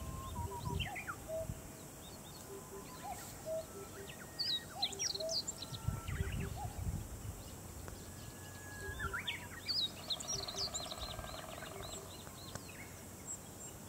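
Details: A female White-backed Woodpecker in Aomori on 24/5 drums on its favourite hard dead tree, returning repeatedly, in several quick, hollow rolls, one near the start and two in the middle; other small birds chirp and whistle throughout.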